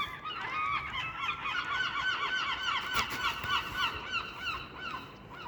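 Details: A loud, overlapping chorus of gulls gives harsh, yelping calls, rapid and continuous, over an almost deserted road in Bristol, England, at 5 a.m., with passing cars, vans and a cyclist.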